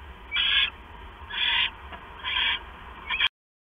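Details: At night on September 6, 2015, 10:52 PM, a male owl delivers a mouse to the female; three rasping, hissy screeches about one second apart, then a short clipped burst before sudden silence.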